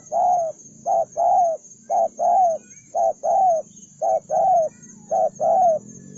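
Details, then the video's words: Spotted dove (bổi, đồng son), a single bird said to be hot-tempered and eager to fight, repeats a hooting short-long coo about five times in steady rhythm, roughly once per second, against a soft low murmur and a thin constant high tone. "cu gáy- bổi 01 con đồng son hung hăng hiếu chiến như bọ xít"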